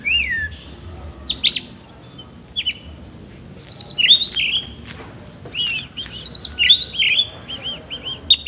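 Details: Oriental magpie-robin singing loud slurred whistles and harsh chips, followed by a run of quick repeated looping notes near the end.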